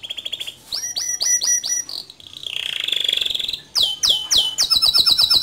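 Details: Male canary singing in an energetic rolling style with sharp shot notes, suited as a tutor for young canaries: a high buzzy trill, then repeated downward-swept whistles, a long rolling warble and fast bright note series.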